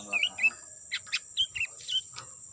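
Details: Sooty-headed bulbul calls used as a lure to attract birds: a quick series of short, bubbly, slurred chirps, some rising and falling, with several rapid notes over two seconds, above a steady high insect whine.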